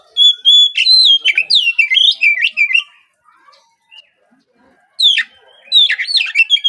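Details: A spotted juvenile Oriental magpie-robin (kacer trotol) sings a lure song meant to prompt morning singing. It opens on a held whistle, then pours out fast varied whistled notes for about three seconds, pauses, and starts again.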